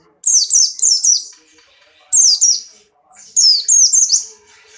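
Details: Buxtoni white-eye, a caged bird in strong breeding condition, hopping and firing off song: three bursts of high, sharp, descending notes, each slurring quickly downward, given in quick runs of three to four notes with short pauses.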